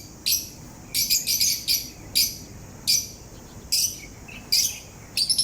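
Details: A parrot, said to be grinding its beak and singing, gives short scratchy high chirps and rasps, some in quick clusters, spaced irregularly about a second apart over a quiet background.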